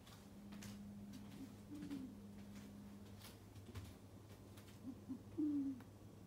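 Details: A captive African white-faced scops owl, displaced from its spot by a northern hawk owl, gives territorial hoo-hoo calls: soft, low hooting notes, a short one early and a slightly rising one near the end, over steady low hum.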